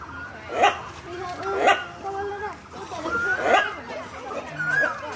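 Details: A hornbill, apparently at a zoo in Assam, gives loud, harsh, dog-like barks, three abrupt calls about a second apart, with people chattering in the background.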